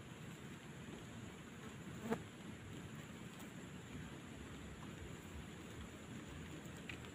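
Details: Steady low rumbling outdoor noise with one brief sharp knock partway through and no animal voices.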